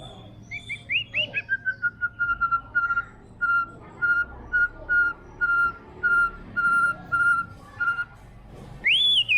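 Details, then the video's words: White-rumped shama (murai batu) singing energetically: a few quick rising notes, then a long series of clear, even whistled notes on one pitch about once per second, ending in a sharp upward sweep. "MURAI BATU TROTOL GACOR! WHITE RUMP SHAMA BIRD CHRIPING"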